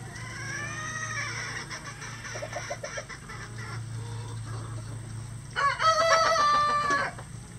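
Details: Rooster crowing on a farm that keeps at least 20 roosters of standard and bantam breeds; after earlier faint, overlapping calls, one loud harmonic crow of about one and a half seconds stands out near the end over a steady low hum.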